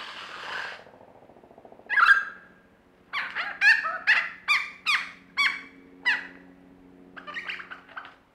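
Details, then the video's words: Australian lyrebird in a mimicry performance: a hoarse low note, a sharp whistled phrase, then a run of about eight loud harmonic notes that sweep down, one every half second, ending in softer chattering notes. "Lyrebird performance"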